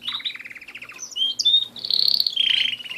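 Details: Captive canaries singing: rapid stuttered trill, then sharp rising whistles and a sustained buzzy rolling trill ending the phrase.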